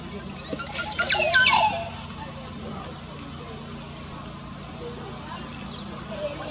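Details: Montezuma oropendola displaying at a busy nesting colony over a road in Honduras, 13 March 2017: one loud, liquid, gurgling burst about a second long, then quiet with a low steady hum.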